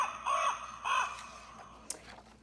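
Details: A common raven, shown in a mountain forest, gives two hoarse, ringing calls about half a second apart, each with a slight rise and fall, followed by quiet and a faint click.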